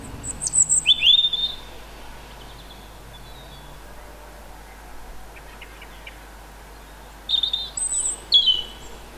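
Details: A European robin sings loudly near a house in the evening, high, thin warbled phrases with sweet trills and quick pitch jumps, in two bursts separated by a quiet pause; another distant robin replies.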